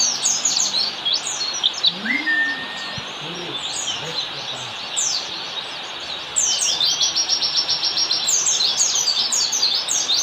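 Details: Oriental white-eye in forest-style standard song, a master track for teaching caged birds: high chattering twitters, a quieter stretch midway, then a loud burst of rapid repeated trilled chirps, over steady hiss and a few low whistles.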